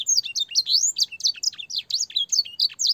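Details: Young-canary training song from a canary with blackthroat and sanger fill: steady, quick chirped phrases repeated roughly twice a second, high and clear throughout.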